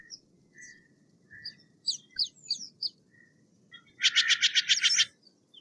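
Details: Scattered thin chirps and short whistles from small birds lead into one burst of Steller's jay calling, a fast run of about nine grating notes lasting roughly a second.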